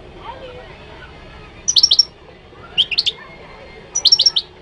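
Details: Moroccan goldfinch singing: three short bursts of bright, high twittering notes, each a quick cluster of sharp chips spaced roughly a second apart, over a quiet low background hiss.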